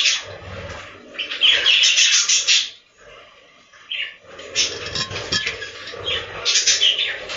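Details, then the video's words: Budgies in a farm breeding room chattering together, two long stretches of fast scratchy warbling and squeaky notes around a short lull, over a faint low hum. "The life of budgies from inside the breeding room"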